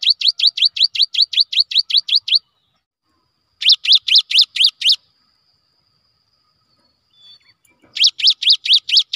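Cinereous tit giving rapid runs of sharp, high chipping notes, about eight per second, in bursts of one to two seconds separated by pauses.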